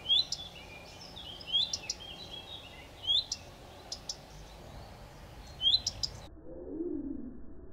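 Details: Common redstart giving rising whistled notes each trailed by short ticks, repeated roughly every one and a half seconds, before the recording cuts to a quieter, muffled low sound near the end.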